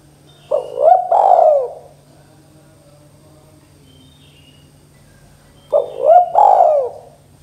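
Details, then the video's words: Spotted dove "kuk 2" style call used to make young captive doves start calling: two low hoarse cooing phrases about five seconds apart, each a short note followed by a longer rolling coo, with a faint steady background hum. "suara tekukur KUK 2 gacor Bikin Tekukur dengan cepat bunyi"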